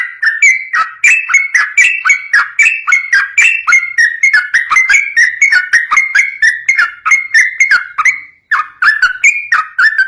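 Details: Continuous 'ropel' song of a yellow-vented bulbul, used as a master recording to provoke other bulbuls into singing back: quick chattering stream of clear, gurgling whistled phrases, about four notes a second, briefly pausing once near the end.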